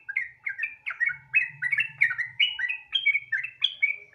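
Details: Sooty-headed bulbul singing a lively, continuous 'gacor ropel' song, used as a lure to get other bulbuls singing: bright, bubbly whistled phrases repeated roughly every half second, with a low steady hum underneath.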